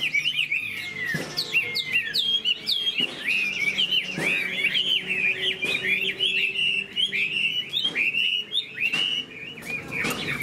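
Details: Chinese hwamei kept in a cage, tail spread and wings flicking, delivers a loud, rich stream of looping whistled notes. Rising and falling slurs tumble one after another, with its song closing in laughingthrush-like phrases. Faint clicks sound behind.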